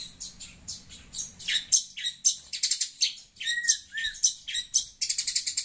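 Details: Talkative long-tailed shrike reacting to a phone's sound, giving a fast, uneven stream of scratchy chatter mixed with short downslurred whistles, ending in a quick stuttering burst of high notes.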